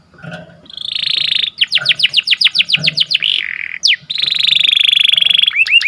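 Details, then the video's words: Lively, melodious morning canary song: a buzzy sustained tour, a run of fast sweeping notes, a sharp falling slur, another long rapid roll, and closing rising chips, with faint low murmurs beneath. "Suaranya Merdu Dan Lincah Nyanyian Burung Kenari Dipagi Hari"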